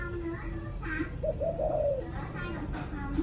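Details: A spotted dove coos in the evening: soft, low cooing notes, with one longer coo that swells and falls in the middle, over a steady indoor hum.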